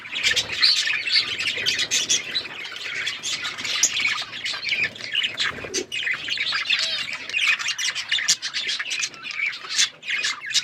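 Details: Several budgerigars chirping as they eat seeds, a constant busy chatter of sharp high squawks, clicks and warbled notes overlapping for about ten seconds, with occasional rustling.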